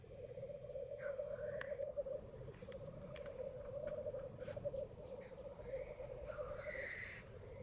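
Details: Black grouse at World's End in very foggy conditions keep up a steady, low, dove-like bubbling without a break, while a few other birds add brief higher calls.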